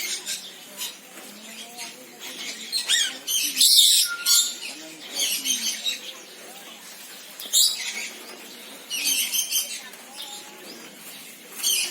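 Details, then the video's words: Senegal parrot giving rapid chirps and harsh squawks in irregular bursts, with some soft whistled notes between louder calls. "SENEGAL PARROT SOUNDS - Suara Kicau Burung Beo Senegal"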